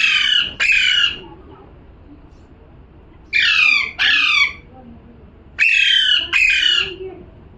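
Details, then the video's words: Harsh squawks from a parrot come in three paired bursts spaced a few seconds apart, each screech broad, raspy and descending slightly at the end. "#parrot🦜🦜🥰 #calling sound"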